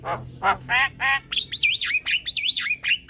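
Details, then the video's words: Javan myna in full song, a tutor recording to train other birds and set them singing: gravelly ribbed squawks at half-second intervals give way to bright looping whistled phrases. "Suara ocehan jalak kebo gacor"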